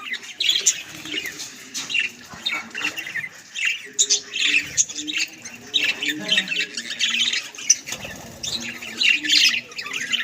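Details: Several pet budgies kept at home chattering together: a continuous jumble of high squeaky chirps, warbles and short squawks, with low murmuring underneath.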